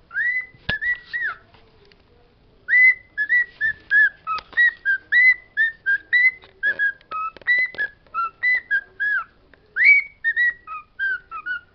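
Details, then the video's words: Pet bird singing learned words: after a sharp click and a brief pause comes a long, evenly paced series of short whistled syllables, many with a rising-then-falling curl, ending in softer, higher notes. "My bird Pedro singing"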